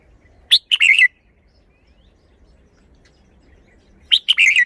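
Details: Thai caged red-whiskered bulbul performing its song: a crisp phrase of clipped notes ending in a rolling warble, repeated once more after a gap of about three seconds, with nothing else audible.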